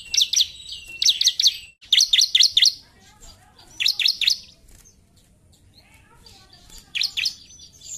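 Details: Bar-winged prinia singing hard in narung style, repeated bursts of bright high chirps in quick groups of two to four, a pause of about three seconds, then a final burst.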